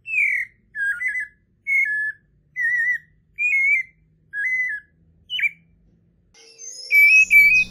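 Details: White-necked Thrush song from Brazil: seven short, clear whistled phrases at a similar pitch, some slurred and some stepped, given about once per second, then a brief burst of different, higher and harsher sounds at the end.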